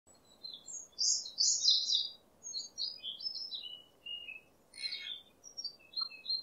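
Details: A blue lory gives a run of high, chattering chirps and squeaky notes in quick bursts, over a steady low background hum.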